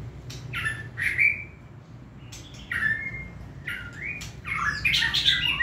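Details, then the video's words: Hand-tame, short-tailed competition white-rumped shama singing indoors: short bursts of harsh, chattering notes with clear whistled slurs, roughly one phrase every second, over a low indoor hum. "chòe chuẩn cầm tay hót"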